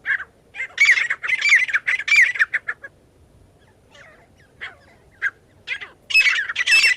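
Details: Partridge calling, a sound used to lure partridges for catching: loud, scratchy, squawking bursts in quick groups, then a short quiet stretch with a few faint notes before another harsh burst at the end.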